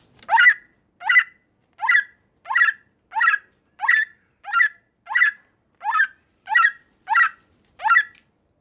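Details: White-rumped shama harsh calls used to goad other shamas into answering: about a dozen rough, grating notes repeated evenly, nearly every 0.65 seconds, with no other sounds.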